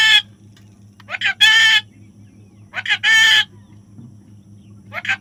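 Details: Young parrot being tamed calls with rough, buzzy squawks, each preceded by brief rising chirps, in two clustered bursts a second and a half apart, with a constant low droning hum behind.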